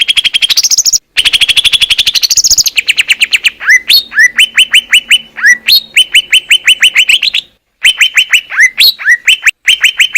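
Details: Greater green leafbird singing in Indonesian nature: a harsh rapid rattle with a long ringing whistle, then many sharp downward-slurred whistles repeated in quick bursts, loud and clear with brief pauses.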